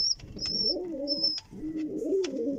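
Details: Pigeon parents feeding their chicks: low, grumbling coo-like notes rise and fall in two bursts, with short thin high squeaks cutting in above.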